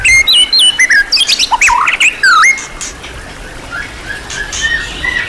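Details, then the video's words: White-rumped shama, champion-class bird in a tutor recording rich in song material, giving bright whistled slurs and sharp upswept notes for about two and a half seconds, then softer, scattered high notes over a faint hiss. "MASTERAN MURAI BATU KELAS JUARA SEGUDANG MATERI | MURAI BATU FULL ISIAN MEWAH TERBARU BIKIN EMOSI"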